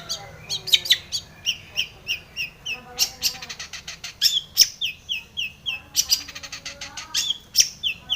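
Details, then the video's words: Rapid, varied song of a long-tailed shrike played to spur other shrikes into singing: repeated downslurred whistles alternating with harsh, clustered chips, roughly two to three notes per second. "cendet gacor BIRAHI full isian"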